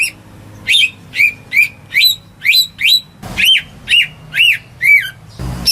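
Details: Greater green leafbird raised at home, its song used as a prompt for silent birds; evenly spaced, upslurred whistles about twice per second, later notes lower and looping, with a click at the end.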